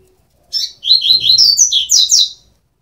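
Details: Double-collared seedeater nestlings, 12 days old: a rapid run of high, thin chirps and twittering notes rising in pitch toward the end, bursting for about two seconds after a short opening note, with a quiet background.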